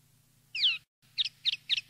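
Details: Campero-style common linnet song for tutoring youngsters: one drawn-out, slurred descending whistle, a brief gap, then three or four quick, bright twittered notes, with a faint low hum behind.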